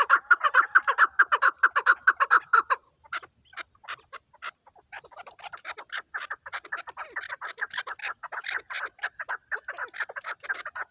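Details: Chukar partridge calling with a rapid series of harsh, clucking chuck notes, dense and loud at first, then a brief gap before the chattering resumes in a steady, slightly softer run.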